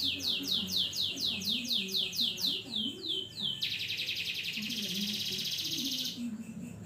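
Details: Canary song meant as a tutor recording for other songbirds: a series of quick, downward-swept whistles, then a long, dense, buzzing trill held for over two seconds, with soft melodic music playing underneath.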